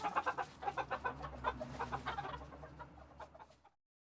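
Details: Chicken coop in Tokyo, Japan, recorded in February 2022: muffled clucking chatter over a steady low hum, gradually quieting before cutting to silence.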